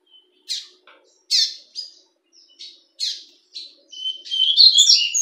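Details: Captive fawn-coloured double-collared seedeater singing in a breeder's aviary: widely spaced sharp chips and short buzzy notes, then accelerating into a loud, rapid run of high, tinkling twitters at the end.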